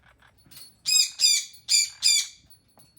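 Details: Pet lineolated parakeet making a new noise that worries its owner, harsh raspy squawks in two quick pairs, with a sun conure chiming in.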